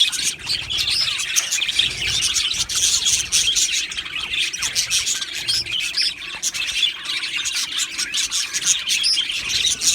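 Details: Colony of Australian budgies kept in an aviary, many birds chirping at once: a busy wash of thin, high twittering notes and short squeaks running without a break.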